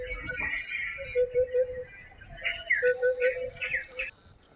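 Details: Eurasian Hoopoe of the African subspecies, Hargeisa outskirts near Egal International Airport, Somaliland, March 2021, gives soft, low, hollow 'oop-oop-oop' notes in quick triplets, over background music and a speaking voice.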